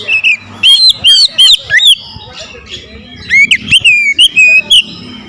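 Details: An oriental magpie-robin goaded into confronting a rival sings with strong, swooping whistles and hard metallic clicks, delivered in two energetic bouts separated by a short quieter stretch.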